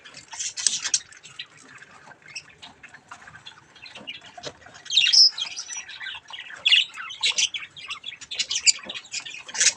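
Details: Baby budgies with a mirror: low, continuous warbling chatter with scattered sharper chirps and squawks that grow louder toward the end.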